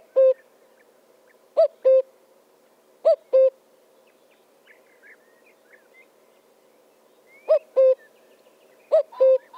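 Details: Common cuckoo giving its two-note cu-coo, a higher note dropping to a lower one, in five spaced pairs with a quiet pause midway where faint chirps of other birds come through.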